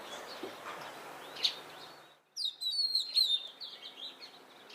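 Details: Oriental magpie-robin song opening with a high, clear whistled phrase and then thinner twittering notes, after two seconds of steady background noise.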